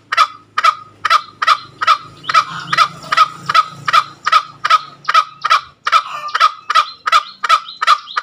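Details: Ngekek call of a green junglefowl: rapid, strident cackles repeated about two and a half times per second, some seventeen notes in a steady run, with a faint low hum in the background.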